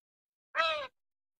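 A crow gives a single harsh, hoarse caw lasting about a third of a second, slightly falling in pitch, against silence.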